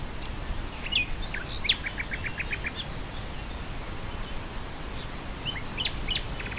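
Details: Nightingale singing amid wind over grassland; busy, varied phrases of sharp chirps, a short run of repeated notes and quick high whistles, pausing briefly before another burst of mixed chirping notes.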